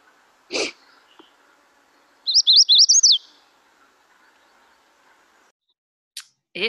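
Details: Magnolia Warbler song from a quiz, compared to a faster, broken-up, higher Chestnut-sided Warbler: a brief phrase of six lilting high whistles around mid-clip, between sharp noisy clicks and a background hum.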